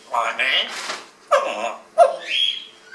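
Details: Grey parrot recites the mantra "Om Mani Padme Hum" in a clear, human-like voice: three short rising-and-falling syllable groups about a second apart, in a quiet room.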